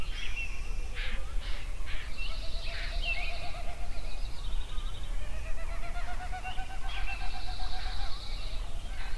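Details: Several songbirds sing at sunrise in Yellowstone. Sharp chirps, buzzy high trills and long low rattling trills overlap, with bursts returning every few seconds against a steady low rumble.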